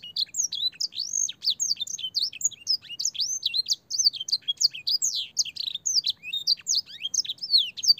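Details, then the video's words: Master song of a canary with a blackthroat and singer fill, played to teach young canaries: continuous bright whistled sweeps, many arching up then down, delivered quickly in a quiet room. "burung kenari gacor panjang full isian blackthroat dan sanger suara jernih masteran kenari paud"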